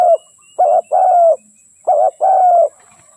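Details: Lure call of a decoy spotted dove for trapping: two phrases, each a short clipped note then a long, steady, hollow coo, separated by about a second of quiet.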